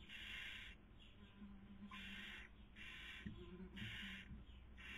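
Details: Breeding-season barn owls at a nest in Cabañeros National Park, Spain, 2020. The female is feeding and the male is trying to sleep. Long rasping hisses come in bursts of about half a second, separated by short gaps, with faint low rustling.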